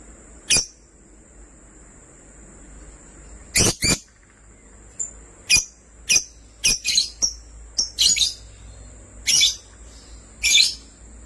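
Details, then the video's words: Sky blue opaline and green opaline lovebirds giving scattered, sharp, high chirps, singly and in quick pairs, with irregular gaps. A faint steady high tone sounds in the background. "Lovebirds chirping sounds"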